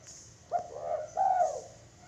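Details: Zebra dove cooing: a short soft phrase of low, mellow, rolling coo notes in two parts, the second longer and slightly higher, in a quiet setting.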